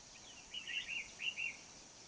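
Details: Red-whiskered bulbul song recorded during bird trapping with a decoy, dated 20 November 2019: a short, faint series of warbled, slurred phrases over steady background hiss.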